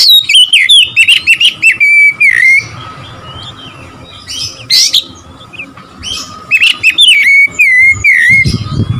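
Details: Song of an Oriental magpie-robin meant to provoke rival birds: bright, wavering whistles with harsh rasping accents, a quiet stretch with faint chirps, then a renewed run of ringing slurred whistles.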